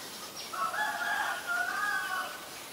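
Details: Black-collared starling in Ubon Ratchathani, Thailand, 17 April 2022, giving a single drawn-out harsh, nasal squawk with a double-toned, slightly wavering quality lasting nearly two seconds over a steady low hiss.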